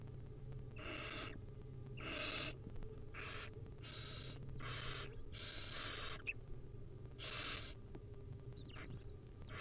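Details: Barn owl chicks in a wild nest, hungry and being fed tiny pieces by their mother, give seven long, noisy, snoring hisses in close succession over a low droning hum.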